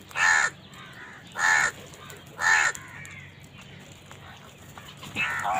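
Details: Crows fighting over food give three loud, harsh caws about one second apart, each with a rich banded tone, followed by a softer rasping call near the end.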